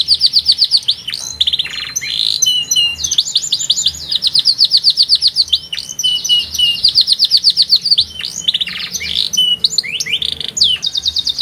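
A canary sings a loud, fast run of bright trills and rolling tours, each phrase repeated rapidly, with quick rising and falling whistles between.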